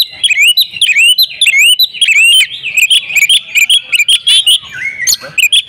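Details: Female Oriental magpie-robin calling the male; strong rising slurred whistles repeated rapidly, followed by a flatter, lower drawn-out note near the end and a few sharp chips.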